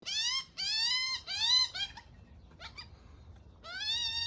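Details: Baby magpie with its mother in the morning while she feeds it: drawn-out, wailing harmonic calls that rise then fall, three in a row, a pause with faint clicks, then another long call.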